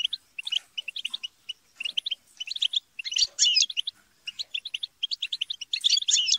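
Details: Several European goldfinches chatter and squabble, a recording used to encourage a goldfinch to sing. Quick metallic twitter phrases with short pauses, and tangled, rising-and-falling scratchy bursts in the middle and at the end.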